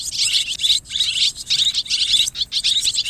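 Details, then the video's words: Swiftlet calls mixed together, used to attract swiftlets; dense high buzzy chattering twitters in repeated bursts about every half second, continuous and loud. "ສຽງນົກແອ່ນ ຮ້ອງປະສົມ Tiếng én, Tiếng Chim Én"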